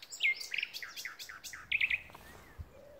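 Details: Common nightingale in song at Pulborough Brooks RSPB reserve, delivering a varied phrase of rich chirping notes descending in steps, followed by a quick triple of sharp, bright notes and a faint thin whistle.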